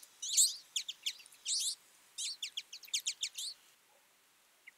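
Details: Winter flock of feeding twites giving dense bursts of high, thin chirps and twitters, clustered in quick runs of overlapping notes that stop abruptly near the end.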